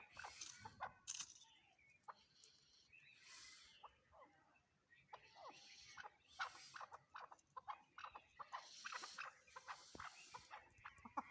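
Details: Chukar partridge (Alectoris chukar) giving harsh, clucking chuk notes in uneven bursts, some rising into rasping phrases, with scratchy background noise throughout.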